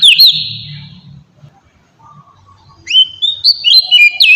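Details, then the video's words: Magpie-robin lure song for provoking other birds to answer: a single drawn-out whistle at the start, a long quiet gap with low background hum, then fast bursts of high swooping whistles toward the end. "suara pancingan burung kacer"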